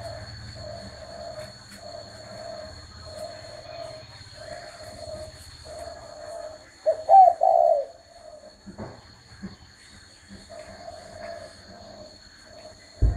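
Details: Spotted dove's hoarse wavering coo phrase stands out midway, among a run of evenly spaced low muffled notes, low rumble and a constant high electronic tone.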